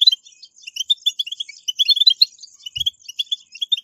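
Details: European goldfinch 'batbata' chatter to prompt captive goldfinches to sing: a continuous flow of high, rapid, twittering notes, interrupted by one brief low thump.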